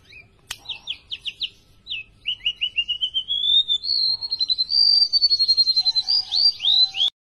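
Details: Tame golden-bellied gerygone in lively, persistent song: quick high chirps, then a long run of rapidly repeated whistled notes climbing gradually in pitch into a sweet trilling series, with a faint lower steady tone near the end.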